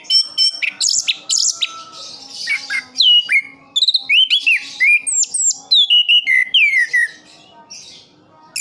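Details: Kept orange-headed thrush from Sidoarjo, East Java, Indonesia, singing a rich, varied run of clear whistled phrases, slurred downward notes and quick high chirps in rapid succession, with brief pauses and a faint steady hum beneath.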